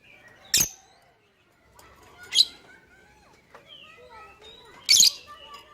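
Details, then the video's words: Lovebird sound meant to coax other birds into calling: three isolated loud rasping shrieks spaced about two seconds apart, with faint thin whistles and slurred notes from other birds between them. "Pancingan Burung Lovebird Bikin yang lain IKUTAN bunyi."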